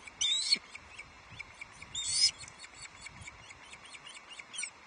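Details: Osprey at a Loch Arkaig nest on 11 July 2023 when a fish is delivered: two loud, harsh, buzzy squeals about two seconds apart, with softer chirps and faint background noise between.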